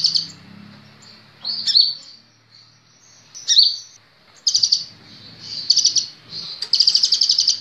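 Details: Sunbird known locally as kolibri ninja, recorded to train caged birds: scattered high whistles and short sharp chips, then quick rattling trills toward the end over faint background rumble.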